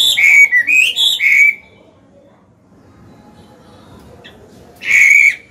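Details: Chinese hwamei, an old bird with a forest voice, used to train young birds and stimulate males; a brief burst of clear looping whistles, a long pause, then one more loud whistled phrase.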